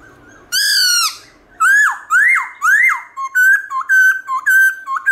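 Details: Black-throated laughingthrush singing a varied forest-style morning song: a bright, falling whistle, three loud rising-then-dropping slurred whistles, then a quick run of short, steady, clear whistled notes.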